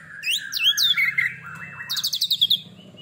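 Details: Oriental magpie-robin (kacer), a caged bird after its first moult, singing twisting upslurred whistles and warbled notes followed by a quick series of high rattling trills, with a low hum behind.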